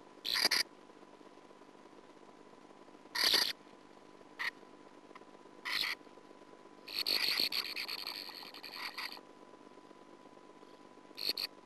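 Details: Sand martin recorded on a nest camera in 2009, giving short, harsh, rasping chirrs in scattered bursts, with one longer buzzy twittering run, over a steady faint electrical hum.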